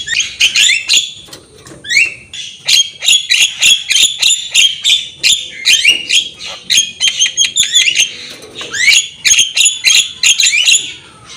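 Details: Energetic Javan myna song meant as tutor material: long dense stream of clicking, rasping and high buzzy notes, broken by occasional rising whistles and short gaps.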